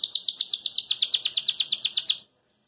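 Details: Caged Belgian canary singing cheerfully, delivering one rapid, even series of repeated sweeping chirps, about seven per second, for two seconds before stopping abruptly.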